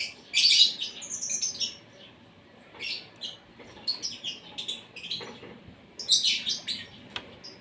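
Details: Asian pied starling (jalak suren), morning feeding, kept bird: bursts of harsh, chattering high notes in several phrases with short gaps, some squeaky whistles.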